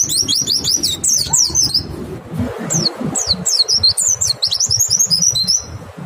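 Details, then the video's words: White-eye singing as a lure to prompt other white-eyes: dense high twittering bursts at the start, a brief lull, then more quick thin descending notes and chattering phrases over low background noise. "Pancingan PLECI BIKIN IKUT NEMBAK, suara jernih bikin respon PLECI LAIN BUKA PARUH"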